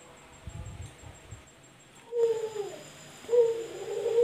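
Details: Male Barbary dove released indoors in a house, cooing: quiet room noise for two seconds, then two deep, rolling, slightly falling coos, the second following about a second after the first.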